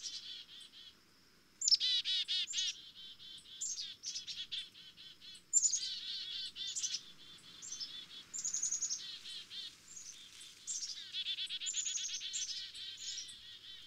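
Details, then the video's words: Black-capped chickadee chatter, fairly soft and crowded: overlapping buzzy 'dee' notes and high sliding chips, with louder bursts near two and six seconds, then a continuous busy twittering. "Black-Capped Chickadee Tweets"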